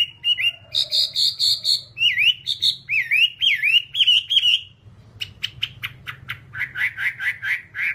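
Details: A small songbird, in an hour-long recording meant as a training song for caged birds, gives bright, high whistled notes, some slurred up and down, then a fast run of sharp repeated chirps over a low hum.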